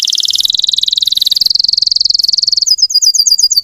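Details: Russian canary singing to provoke other canaries into responding: a loud, very rapid, high-pitched rolling trill of steady repeated notes, shifting into a slower series of sharp, high chirping notes at the end.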